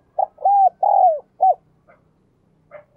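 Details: Spotted dove singing in the "đồng kim" ("đồng chuông") voice style, described as clear and ringing: a short coo, two drawn-out falling coos and a brief closing note, followed by faint scattered chirps and soft background rustling.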